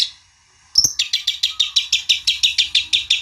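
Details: Long-tailed shrike song meant to goad a rival into replying: a sharp opening note, then a steady run of about fifteen rasping, evenly spaced chattering notes.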